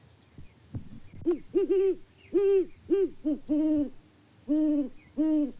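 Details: Great horned owl mates duetting on a Kansas farm in winter, the male calling out of view; about nine hoots at two distinct pitches, one slightly higher, interleaving in a quick, uneven rhythm.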